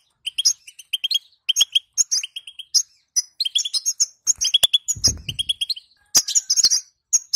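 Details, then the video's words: Female European goldfinch calls, played to get males singing: rapid twittering bursts of high, tinkling double and triple notes, with sharp clicks scattered through and a short low thump near five seconds. "بتبتة أنثى_حذاري حذاري سنفجر الحسون مع هذه البتبته سيغرد حسونك وستلاحظ الفرق"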